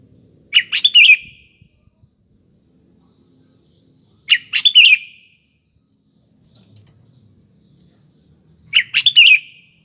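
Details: Active sooty-headed bulbul used as a lure at morning, afternoon and night: three brief, chattering bursts of warbled notes spaced roughly four seconds apart, with soft low rumbling between them.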